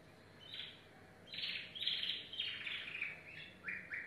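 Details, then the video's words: Yellow domestic canary singing: short bursts of bright, buzzy chirped phrases following one another after a quiet start, with a faint steady background hiss. "canary singing"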